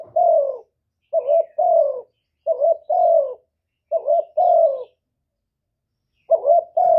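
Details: Spotted dove cooing, used to stir other doves into cooing back: four low phrases, each a short clipped note followed by a longer mellow coo that slides downward, with pauses between, on a silent background.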